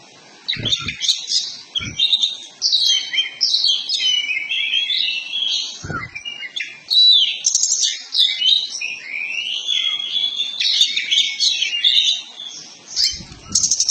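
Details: Oriental magpie-robin, kacer poci form, in a long training lure meant to make birds open the tail and sing: nonstop mix of rich whistles, buzzy trills and mimicked phrases, interrupted by a few dull knocks.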